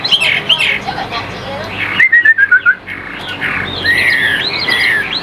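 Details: Captive Chinese hwamei offered for sale in Vietnam: mixed whistled phrases, a quick descending string of short clipped notes midway, then broad rising and falling slurs, with some faint background voices.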